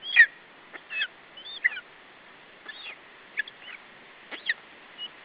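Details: Lesser spotted eagle chick defending its food from a parent at a nest in Estonia, July 2012: scattered high yelps and squealing notes, uneven in rhythm and loudness, with gaps of hiss between.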